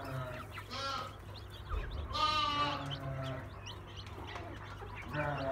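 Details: Brahma ornamental chicken flock in Istanbul, Turkey: a short harmonic call, then a louder sustained one near the middle and another starting at the end, amid scattered clucks and bumps.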